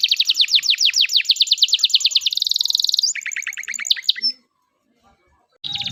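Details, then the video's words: Caged canary singing in the continuous loper style, used to prompt young canaries learning to sing: rapid high trills of repeated sweeping notes, shifting into faster buzzy rolls, then a pause before another high trill starts. "kenari loper super gacor, pas buat pancingan kenari paud yang lagi ajar bunyi"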